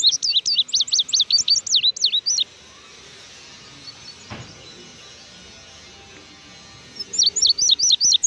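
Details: Blue grosbeak out of its cage, delivering a rapid burst of high, thin chirps and down-slurred notes for over two seconds, then a long quiet gap before a second short, fast phrase of similar chirps.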